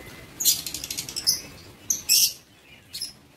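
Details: A shrill chorus from lovebirds in an aviary, 19 September 2023: a cluster of high, harsh chirps, a short gap, then a loud piercing squeak and one last faint chirp.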